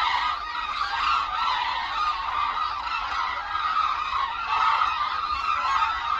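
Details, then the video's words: Hooded cranes calling in flight over the Suncheon Bay wetland, a wintering site in Korea. A dense, continuous chorus of overlapping trumpeting calls from a large flock, with no pauses. "흑두루미 울음소리"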